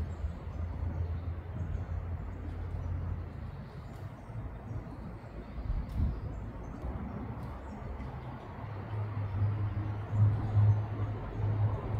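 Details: A steady low rumble and hum, like distant traffic or machinery, fills the recording, with no clear bird or other animal voice.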